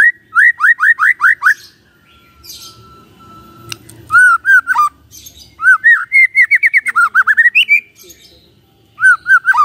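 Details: White-rumped shama song used in the morning to make a silent shama sing along. Fast series of repeated arched whistles come in bursts, pausing between runs, with a faint tone in the gaps.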